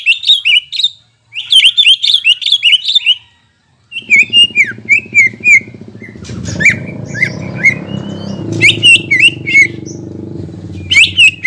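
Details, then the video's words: Greater green leafbird song used as a lure for birds after moulting: bursts of quick slurred whistles and chirps separated by short gaps, with a low droning hum beneath from the middle onward. "PANCINGAN CUCAK IJO GACOR UNTUK CUCAK IJO HABIS MABUNG"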